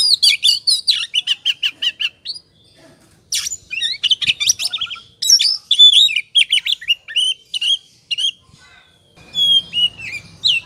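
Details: Oriental magpie-robin singing in excited 'ngobra' fashion, used as a lure to make other birds sing. A fast stream of short whistles and chatter is followed by a lull, then long varied whistled phrases, with a faint hum at the end.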